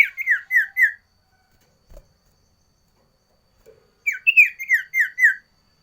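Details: A sooty-headed bulbul variation song: a phrase of four descending whistled notes, a pause with a soft thump and a click, then a longer run of about six falling slurred whistles.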